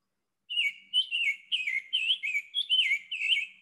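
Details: Spring in South Carolina: a Summer Tanager sings a quick run of clear, robin-like whistled phrases, rising and falling, slightly burry but less raspy than a Scarlet Tanager's, about two phrases per second.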